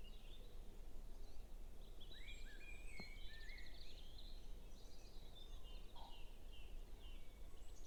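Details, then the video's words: Several songbirds in a building May Day dawn chorus before sunrise, in a back garden in north-east Norfolk, recorded on a phone, overlap with varied warbled and whistled phrases, fairly faint over a steady low rumble. "so i'll be quiet and let the birds do the talking"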